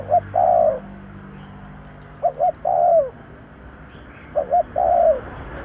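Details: Spotted dove call for luring birds: three phrases of a short double coo followed by a sustained, falling coo, over steady background hiss.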